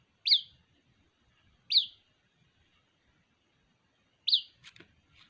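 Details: White-breasted waterhen chick calling for its mother: short, sharp high chirps, each quickly rising then falling, repeated at irregular gaps of one to two seconds, with faint low rustling behind.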